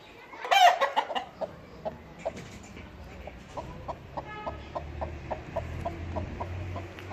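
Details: A broody white Istanbul (Hint) hen, fluffed up and sitting in the nest box even when empty, gives a steady run of low, short clucks, roughly two or three each second.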